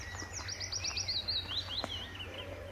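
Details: Willow warbler male singing high in trees by a farm pond along the Letchworth garden greenway, June 2014, from the same branches of his patch; a sweet cascade of whistled notes sliding steadily down in pitch, with a low background hum.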